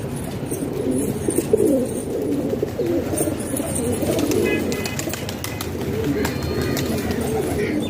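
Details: Kept pigeons in a house in Pakistan, a crowd of overlapping low cooing voices forming a continuous murmur, with faint clicks and scattered higher sounds.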